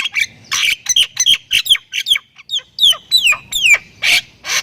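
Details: Thai Javan myna (jalak kebo) singing in the full 'isian' style, mixing rasping bursts with clear whistled notes that slide downward, delivered in quick succession.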